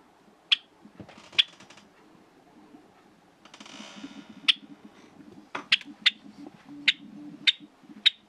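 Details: A pet, hand-tame Java sparrow, the most lonely one in its family and cheerful when people are near, gives sharp, high chipping notes, singly or in quick pairs, about eight in eight seconds, over a low indoor hum.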